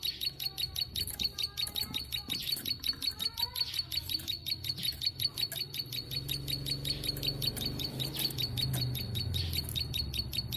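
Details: Tame plain prinia (ciblek sawah) singing actively in long 'nembak panjang' bursts: a rapid, steady series of thin, high, ticking buzzy notes, about two to three per second, over low rumbling background noise and faint other chirps.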